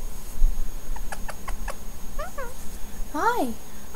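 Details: A 2-year-old female violet Indian ringneck parakeet, jealous and angry while her owner holds a lovebird across the room, gives short clipped notes, then harsh arching squawks rising and falling, loudest near the end, with a person's voice in the room.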